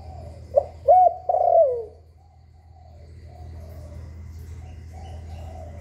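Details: Spotted dove cooing in the 'hạp bổi' voice style, used to stimulate newly kept caged doves. One phrase: a short low note, an arched rising-falling coo, then a longer tremulous note sliding down at the end. Fainter coos follow.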